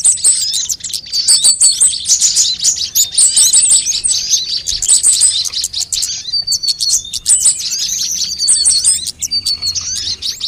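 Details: Sunbirds calling on a bird-lure track intended to trick birds into singing quickly: continuous shrill twittering and sharp high chips, overlapping rapid trills that barely pause over ten seconds.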